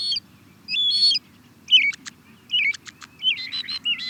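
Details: European starling song mixing whistled warbles with sharp clicking pops and brief squeaky notes in quick, uneven succession, over a faint low hum.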